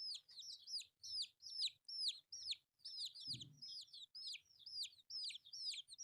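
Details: Young chicks pecking at rice repeat loud, high, arched peeps about twice a second in a steady rhythm, with a soft thump midway and faint low rustling.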